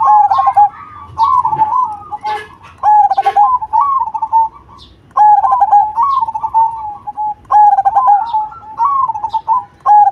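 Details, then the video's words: Zebra dove of the Cemani type in full song with a big voice: three long phrases of rolling, bubbling coos, each opening with hollow notes and trailing into wavering trills, separated by short pauses, with faint clicks and knocks. "Perkutut Cemani Gacor Suara BESAR"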